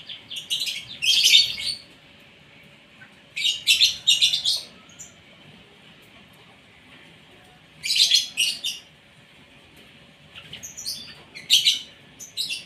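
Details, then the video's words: Asian pied starling singing during its morning feed; four separate bursts of harsh, scratchy chatter with some whistled notes, each lasting about a second and spaced by quiet gaps of two to three seconds. "SARAPAN PAGI BURUNG JALAK SUREN SUPAYA GACOR"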